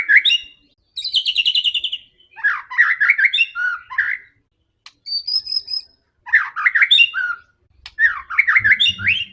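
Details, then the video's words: Fierce, fighting white-rumped shama singing to provoke other birds: loud varied phrases of descending whistled notes, rapid chattering trills and a thin high whistle, separated by brief pauses, with a low thump near the end. "MURAI BATU GACOR‼️ SANGAT FIGHTER DAN GANAS UNTUK PANCINGAN MURAI ANDA"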